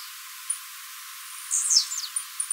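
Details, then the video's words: Blue-black Grassquit, Tiziu Mateiro song style, recorded live for training. Quiet at first with one faint high tick, then a single bright buzzy phrase sliding downward, followed by a few thin clicks. "TIZIU MATEIRO CANTANDO PARA TREINAMENTO DE FIBRA"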